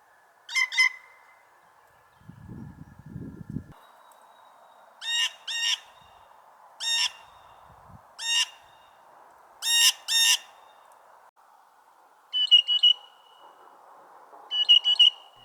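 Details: A younger male Blue Jay in spring gives squeaky, creaking two-note 'squeaky gate' calls, seemingly as an alarm. The calls repeat about every couple of seconds, with a brief low rumble and a steady background hum.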